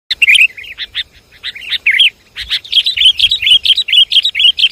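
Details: Sooty-headed bulbul lure call from Java: busy, bubbly chirps and short warbled whistles, quickly repeated in lively bursts with a brief pause near two seconds, several calls overlapping.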